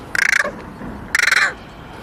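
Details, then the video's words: A young crow gives two short, harsh rattling bursts, each of about ten rapid pulses, spaced about a second apart, with quiet background between. "Young Crow Making Strange Sounds"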